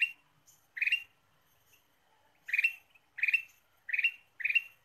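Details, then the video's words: Bright bubbling bursts of a ruby-throated bulbul lure song. One phrase is followed by a long pause, then four more phrases come quickly in succession. "PIKAT KUTILANG EMAS GACOR"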